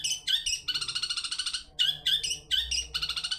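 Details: Long-tailed shrike 'toet toet' lure song meant to draw replies from other birds: short harsh notes lead into a long, fast, buzzing trill, then a second run of rasping notes and another trill.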